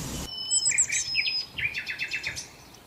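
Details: Sparrows feeding on leftover breakfast food at a hotel in Marsa Alam, Egypt, give a quick run of sharp chirps and twitters, about ten notes tumbling together, with a brief noisy rustle at the start.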